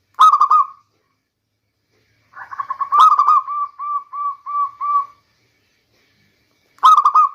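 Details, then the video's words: Local zebra dove, meant to lure birds in the rainy season: short rolling coo bursts open and close the clip, while the middle holds a long series of rounded, evenly repeated coo notes. "Bunyi perkutut lokal terbaik untuk pancingan di musim hujan"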